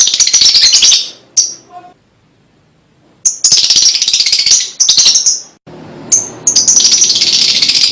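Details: Lovebird song meant to stimulate young birds: long stretches of shrill, rasping chatter broken by a silent gap of about a second, with a soft low hum underneath in the later part.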